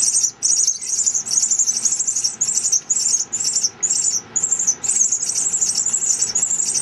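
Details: Pearly-eyed thrasher: three nestlings in a nest on a villa deck beam, fed by their mother, give a chorus of very high, hissing, squeaky begging calls in rapid bursts, about two each second, over a faint low hum.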